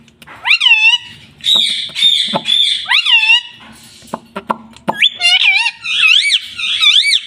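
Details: Pet parrot billed as a talker: a dense, loud stream of ringing, wavering calls and rising-then-falling notes, broken by dry clicks, ending in a rapid run of warbled up-and-down phrases.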